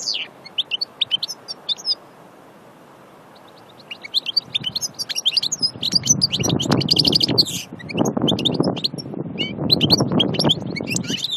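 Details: A goldfinch at Aïn Barbar, Annaba, sings a tinkling phrase, falls silent for about two seconds, then bursts into long, fast, jangling twitters. A low, rumbling background noise accompanies the later part.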